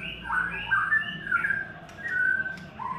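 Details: Third-molt white-rumped shama giving mellow, fluty whistles that slide down and level off, several short notes in sequence with soft pauses, above a low hum and light background noise.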